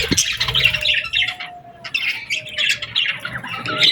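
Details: Summer evening chorus at sunset: many birds chirping in quick bursts of bright, scratchy notes, a thin steady whistle running underneath, and a low background hum.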